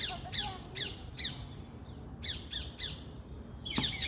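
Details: Series of rasping parrot squawks, short harsh notes repeated roughly every half second, a brief pause, then another run ending in a louder sharp shriek, with low background rumble throughout.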